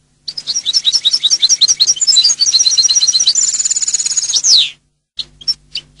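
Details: Singing European goldfinch delivering a fast, evenly paced series of high twittered notes. It runs into a rapid buzzy trill and ends with a sliding falling note, followed after a pause by a few separate chirps.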